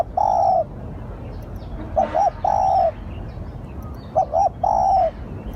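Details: Spotted dove calling as a lure, used to draw in other doves. Low mellow cooing: two quick short notes, then a longer drawn-out coo, the phrase repeating about every two seconds. A faint high chirp from another bird is also heard.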